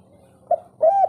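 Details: Zebra dove, local wild bird, kept as a songbird: two short low coos, the second a drawn-out wavering note after a brief pause, over a faint steady low hum.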